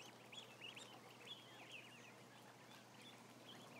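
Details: A crowd of roughly a thousand ducklings peeping; quick high chirps, many sweeping up then down, tumble over each other in a busy, unbroken chorus with a low constant hum underneath.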